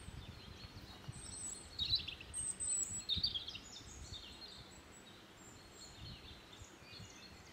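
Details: European robin (Erithacus rubecula) call recorded on 21 March 2023 at Ribniki in the Draga valley: thin, high twittering notes in short bursts over a steady low background rumble.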